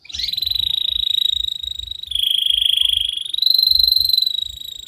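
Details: Canary tutor song, a long, vigorous singer played to lure young canaries into singing quickly: three sustained, rapidly pulsed high rolls, each held about a second or more, the pitch stepping down then up between them.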